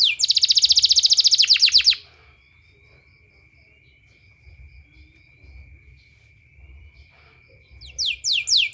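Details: Canary song as a training therapy sound for canaries: a two-second loud rapid trill of even, repeated high notes, then near silence with a thin steady whine, and a few bright descending whistles at the end.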